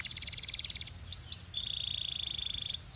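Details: Belgian canary opening with a very fast buzzy trill, a few swooping upward-arched notes, then a long even rattling trill on one pitch.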